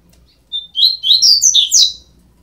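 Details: Twelve-day-old double-collared seedeater nestlings calling: a short thin note, then a run of high, rapidly repeated squeaky chirps rising and falling over about a second and a half.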